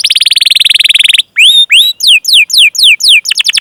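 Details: Canary chirping song used as a lure to get other canaries singing: a rapid buzzy trill, a brief silence, then loud rising and falling whistled notes about four per second, closing with a fast trill.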